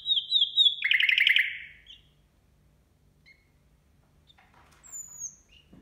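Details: Nightingale song at New Year: a steady high whistled note that breaks into a fast, loud, buzzy rattling trill, followed by long silence and a few faint scattered notes.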